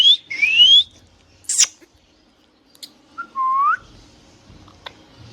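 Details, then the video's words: Hand-tame pet green ringneck parrot giving sharp whistled notes that sweep upward, a brief high squeak and a lower rising whistle, with faint clicks between them in a quiet setting. "Green Parrot Natural Sound | Hand tame Parrot Talking video | Mithu Tote Ki Awaaz | Talking Parrot"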